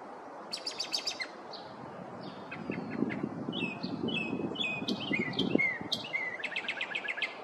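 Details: Northern mockingbird singing in a neighborhood in the morning, running through a repertoire of mimicked birds: quick repeated high chirps, then varied whistled and buzzy phrases changing every second or so, over a low rumble of background noise.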